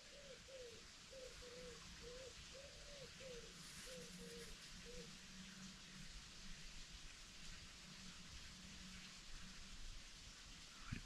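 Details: A Eurasian collared dove (Streptopelia decaocto) in Cheshire woodland near a brook gives a run of short, soft mid-pitched coos, about two per second, over a steady rain-like hiss with a low hum beneath.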